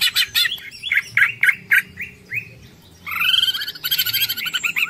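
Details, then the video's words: In 'ngekek panjang' style, a greater green leafbird gives a string of short repeated notes, a pause, then a dense, rapid chattering trill that runs on to the end. "Cucak Ijo Ngekek Panjang Full Tengkek"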